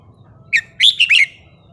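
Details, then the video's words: Red-whiskered bulbul singing a wild-style song phrase: one sharp note, a short pause, then a quick run of three or four bright, warbled, whistled notes that rise and fall, over a faint low hum. "นกกรงหัวจุกสายนับดอก เพลงป่า สำนวนเพราะๆ"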